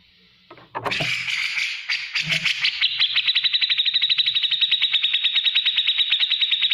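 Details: Black-crested bulbul song meant for teaching other cage birds: a rough opening burst and scratchy notes, then a long, rapid, even ticking trill running steadily to the end.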